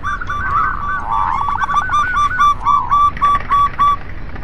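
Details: Local zebra doves singing together to encourage reluctant doves; a tumbling burbled phrase gives way to a clear series of short, level coos spaced about four per second, with a faint hiss behind.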